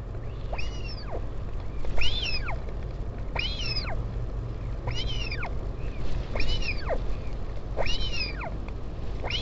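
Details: Repeated arching whine calls, seven in a steady series about 1.3 seconds apart, recorded at a northern royal albatross colony on Taiaroa Head, Dunedin, New Zealand, during a parent's visit to its chick on 16 July 2019; wind rumble throughout.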